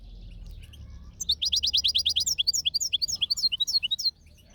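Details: European goldfinch outdoors delivering a fast, loud series of high, clipped chirps repeated roughly five per second, grading into varied twittering flourishes before stopping.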